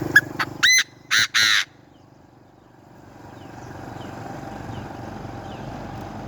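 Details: Chinese francolin (đa đa) giving a few loud, harsh, broadband calls in quick bursts during the first seconds, then quiet apart from a steady low rumble and faint distant chirps.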